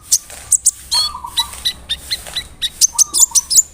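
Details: Brown-throated sunbird, a big-bodied active singer played to provoke other sunbirds, giving a quick uneven series of sharp high chirps, about three per second, mixed with thin whistled slurs.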